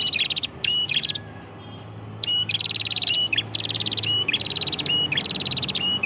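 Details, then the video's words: Prinia singing energetically in Padas, Ngawi, East Java: near-continuous loud trilled phrases of fast repeated notes broken by short whistled slurs, with a single pause of about a second early on. "Suara Prenjak Kepala Merah Gacor"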